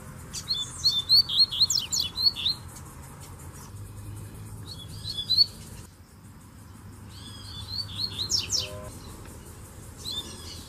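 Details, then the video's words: Rusty-collared seedeater males singing near a female; rapid high whistled and slurred phrases in bursts of one to two seconds separated by quieter gaps, with a faint low hum behind. "Baderna de Coleiros Cantando e Fêmea Baixando Gala"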